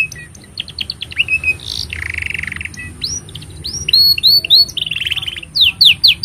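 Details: Canary song for training young canaries: soft chattering notes build into a buzzy rasp, then loud rising whistled swoops repeated in pairs, a rattling trill and sharp upslurs at the close; faint steady tone throughout.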